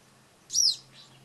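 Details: Social flycatcher: a single loud, sharp, high-pitched note with a quick downward sweep, lasting about a quarter second, followed by a fainter echoing trace, over a low steady hum.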